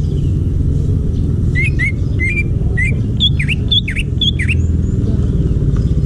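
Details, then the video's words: A forest greater green leafbird sings a few rising whistled notes that give way to repeated high clicks paired with swooping V-shaped whistles, backed by continuous low drone. "Masteran Cucak Ijo asli hutan"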